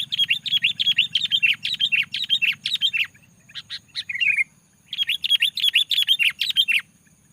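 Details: Loud sooty-headed bulbul song used to provoke rival bulbuls into singing: rapid chattering runs of sharp chirps, repeated almost three times a second, breaking off briefly midway before resuming, with a faint low hum beneath.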